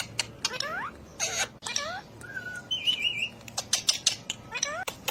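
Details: Ring-necked parakeet talking: falling, whiny meow-like syllables in quick bursts, then a thin level whistle, with sharp clicks and ticks scattered throughout and soft music beneath.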